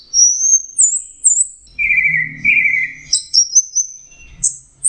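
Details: Singing Geokichla citrina, the orange-headed thrush. High whistled notes are followed by a lower, drawn-out warbling phrase, then sharp, sliding high chirps, with some soft background noise.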